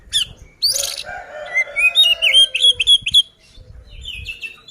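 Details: Oriental magpie-robin in fighting song to make rival magpie-robins agitated: a harsh opening burst, then a quick string of rising whistled notes about four per second, fading into softer thin whistles.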